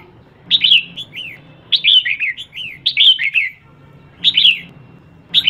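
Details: Female red-whiskered bulbul calling to excite males: clear, bright phrases of quick slurred whistled notes, each burst rising then dropping, given in short groups about every one to one and a half seconds, with faint low hum behind.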